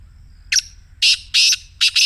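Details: Black Francolin call played to prompt kept francolins to call, best used mornings from a little distance: a short chirp, then three loud, harsh, grating notes in quick succession, high-pitched and raspy, over quiet background.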